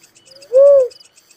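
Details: One clear, hollow, slightly arched note from a little cuckoo-dove, about a third of a second long, against faint pulsing insect chirps.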